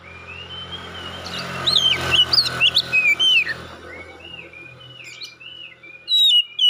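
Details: Competition-winning white-rumped shama (kacer) singing: drawn-out whistles and swooping slurred notes over steady background hum and murmuring, ending with a few sharp loud bursts.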